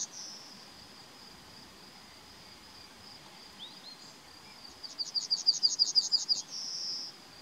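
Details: Yellowhammer in May 2020 finishing one phrase with a long high note, then after a pause delivering a fast run of about a dozen sharp repeated notes closed by a sustained drawn-out tone.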